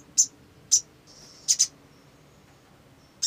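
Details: Olive-backed sunbird in a lure recording, calling with single and doubled sharp high chips separated by brief pauses, and a faint thin whistle between.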